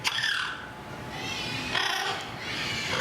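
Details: A parrot at Animal Kingdom, Walt Disney World, Orlando, on 2 May 2023 is asked by a keeper to sing and gives harsh, raspy bursts of mimicked singing in several short phrases, with a crowd murmuring behind.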